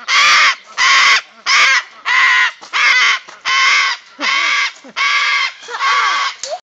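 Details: Loud, crazed screaming from a white cockatoo in Hilo, Hawaii: long harsh rasping screeches, about nine over several seconds, each held roughly half a second, with short gaps and a few softer squawks between.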